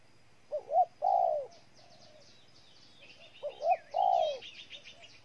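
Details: Spotted dove from Ninh Thuận, Vietnam, giving two low cooing phrases about three seconds apart. Each phrase is two short hooting notes followed by one long, drawn-out coo that falls slightly at the end. Small birds chirp and twitter faintly in the background.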